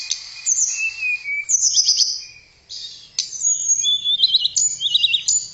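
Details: Sweet whistled song of a tledekan (blue flycatcher): a long falling whistle, high twittering phrases and closing quick bubbling rising notes.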